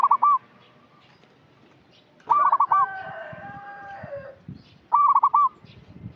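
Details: Local zebra dove (perkutut) lure song for untrained birds: three rolling cooing phrases about two and a half seconds apart, with a rooster's drawn-out crow sounding just after the second phrase.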